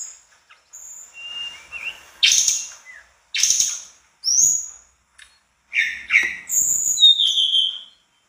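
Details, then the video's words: ['Mangrove blue flycatcher singing energetically in the gacor isian style: a soft warbled phrase, then loud separate chirps and a closing high whistled sweep.'] "Tledekan bakau gacor dor isian"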